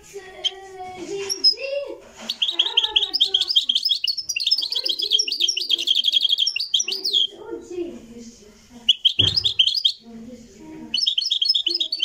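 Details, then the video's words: Live recording of a Moroccan goldfinch singing long stretches of rapid, tinkling twitters and buzzy trills, broken by short gaps, over softer lower warbling notes and a brief thump. "تغريد الحسون المراكشي"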